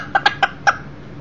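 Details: Millefleur d'Uccle beta rooster, one year old, visiting inside near a broody hen and chicks; four short, crisp clucks in under a second.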